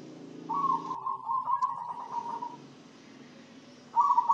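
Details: Zebra dove that is said to sing diligently and be healthy after being fed a herbal spice mixture; one long, even, beaded coo trill lasting about two seconds, then a fresh phrase beginning at the end, over low rumbling background noise.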